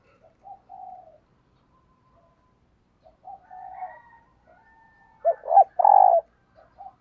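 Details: Spotted dove used as a morning decoy for wild doves; soft distant coos for most of the stretch, then a loud phrase of two short coos and a long coo near the end.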